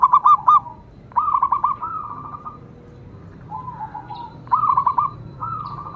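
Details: Local zebra dove with several short phrases of rapid hooked coo notes, some smoother rolling coos between them, and quiet pauses; a faint higher chirp sounds once.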